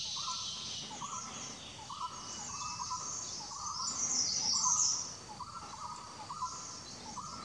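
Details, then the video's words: Male Slaty-blue Flycatcher (Ficedula tricolor) on the western slope of Doi Lang, Doi Pha Hom Pok NP, NW Thailand, 25 March 2017, giving short mid-pitched notes about every second over a steady high hiss of insects or running water. "Slaty-blue Flycatcher (Ficedula tricolor)"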